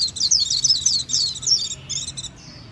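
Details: Japanese white-eye pouring out a fast, continuous run of thin, high twittering notes that fades out at the end.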